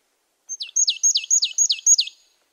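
A marsh tit gives a quick run of six sharp, high, downslurred notes in under two seconds, over a thin sustained whistle. No other sounds.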